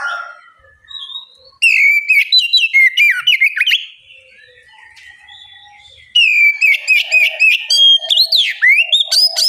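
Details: Oriental magpie-robin bait song for setting other birds singing: after soft opening notes, loud varied whistles and clicks, a quiet lull with faint tones, then a second vigorous burst of rising and falling whistles.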